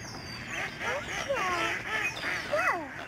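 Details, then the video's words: Snow geese in huge flocks flying and swirling down at a migratory bird sanctuary in the Fraser River estuary, Delta, British Columbia, Canada, on March 24, 2011; several nasal, arched honks overlap in quick succession over a steady background murmur. "Snow geese flying and honking"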